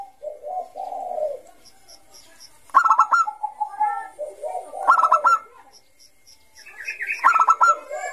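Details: Bangkok-type zebra dove in steady, long-drawn ngayer singing, a song used to lure young doves. Bursts of rapid staccato coos alternate with lower rolling, warbled notes, with the phrases returning every two seconds or so.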